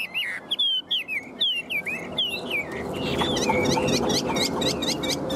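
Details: Chinese hwamei in a cage singing a fast series of looping whistled notes, about three per second, with a hiss of background noise rising in the second half.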